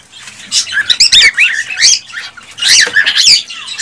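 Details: Cockatiel male in excited mating song aimed at a female, to encourage breeding: loud continuous warbling and scratchy chirps, notes wavering quickly up and down with barely any pause.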